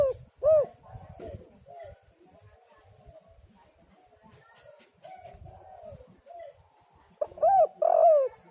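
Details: Spotted dove (tekukur) calls used to lure doves and make them sing: short rising coos near the start and a louder three-part coo phrase near the end, with softer distant coos in between.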